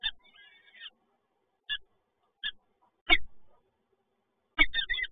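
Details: Peregrine falcon chicks begging while being fed at a nest in Toruń, Poland, 30 April 2022: short harsh, wavering cries in brief bursts, a trilled run at the start, mixed with dull knocks and thumps.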